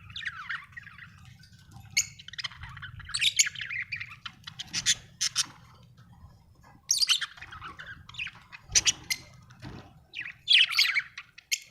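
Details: Budgerigar chattering in scattered bursts of scratchy, buzzy chirps and squeaky warbles, with short pauses between phrases and a low hum throughout.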